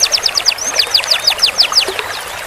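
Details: Canary song used as a master recording for training birds to roll long: a series of repeated high whistled notes falling in pitch, about eight per second, with a soft watery hiss behind.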